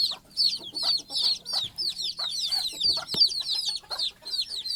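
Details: Mother hen with young chicks going to sleep for the night on a stick at the nest: loud, busy high-pitched chirping from several chicks, steady downward-sliding peeps with soft low clucks beneath and one sharp click.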